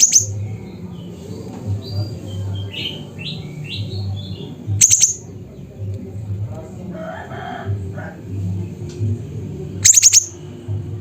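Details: Siri-siri at Busu Reului, Mutiara, Pidie, Aceh, singing energetically: clusters of piercing high chips roughly every five seconds, with softer whistled rising notes and a burbling phrase between them.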